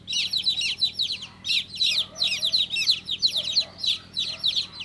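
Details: Newly hatched chicken chick giving loud, high, downward-slurred peeps in quick irregular bursts, roughly three per second, with brief pauses between runs and a faint low hum underneath.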